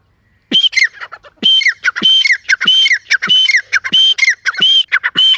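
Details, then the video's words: Partridge calling in a forest, a long run of loud, strident, ringing notes. Each phrase repeats about every half second to second in an insistent, raspy rhythm, with nearly silent background. "جنگل میں تیتر کی بہت خوب صورت آواز"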